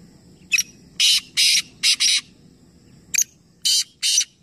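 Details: Three black francolins calling together in a calling competition at Nawabshah, Pakistan: a short sharp note followed by harsh, grating broadband bursts in pairs, a pause, then another short note and two more rasping bursts over low background hum.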